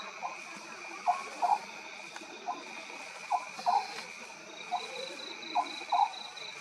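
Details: Oriental scops owl calling at night with low, toad-like notes, single or in quick doublets and triplets, coming about every second, over a constant shrill insect hum.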